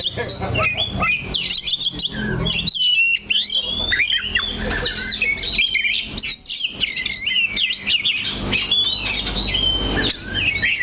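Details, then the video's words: Kacer (oriental magpie-robin) singing steadily from its perch, staying on one spot: dense, jumbled high whistles, squeaky chips and twisting slurred notes over a faint low hum. "KACER THE LOCO NANCAP 1 TITIK"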